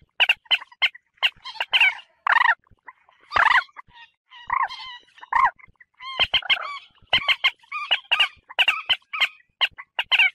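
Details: Common moorhen lure call for hunting birds: loud, throaty croaks and rapid sharp cackles, with several drawn-out wavering notes among steady pulsed chatter.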